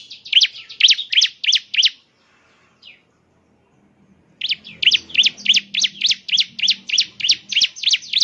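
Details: Bar-winged prinia song played to prompt a caged bird to sing: two bursts of rapid, sharp, high chirps repeated about three per second, separated by a short pause.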